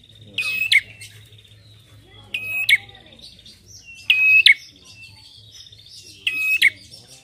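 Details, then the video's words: Prinia call played as a lure for training songbirds; bursts of buzzy, metallic high trills with a sharp accent, repeated about every two seconds, over a faint low hum. "PANCINGAN PRENJAK KEPALA MERAH"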